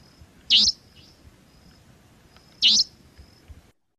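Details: A Savanna (Franklin's) nightjar at twilight gives two sharp, high, whip-crack notes from the sky about two seconds apart, each a brief rasping burst, over faint hiss; called more on moonlit breeding-season nights, at dusk and dawn.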